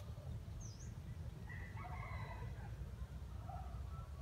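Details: Trapping bait bird, a wild jungle chicken, gives an earthy crow: a single far-off harmonic crow of about a second over constant low-pitched background rumble, with faint thin bird chirps afterwards.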